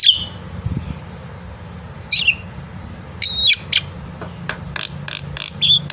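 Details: Morning song of a black-winged myna in full voice, meant for teaching young birds to sing: scattered bright whistles and harsh squeaky notes separated by pauses, then a string of quick clicks and chirps, with steady low hum behind.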